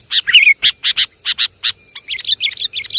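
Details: Sooty-headed bulbul lure call: a row of loud, clipped chirps at an even pace, followed by a quicker babbling series of twisting whistled notes.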